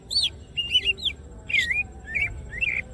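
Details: Greater green leafbird singing vigorously with wings open: clear whistled phrases, high slurred notes and wavering warbles, a few separate phrases spaced about half a second apart over faint background noise.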